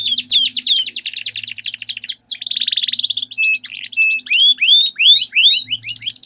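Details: Dueling canaries sing long rolls: a dense buzzy trill, a short steady whistled roll, then slower curved whistles at intervals, over a faint low hum.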